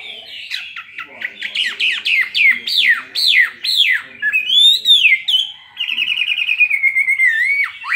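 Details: Fighting song from a Chinese hwamei caged for two years, singing in spread display: a quick series of loud, steeply falling whistles, one long wavering note, then a rapid trill sliding gently downward.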